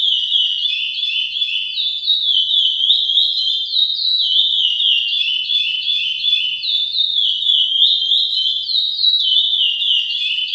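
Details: A legally bred chestnut-bellied seed finch (Sporophila angolensis), getting into singing form, sings a continuous run of clear, sweet whistled phrases sliding up and down in pitch without pause.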